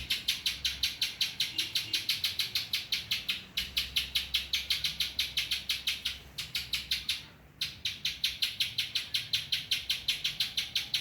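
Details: Spiderhunter delivering ciblek-style filler: sharp, high, rattling chips in a rapid, even train at almost three per second, broken by one short gap partway through.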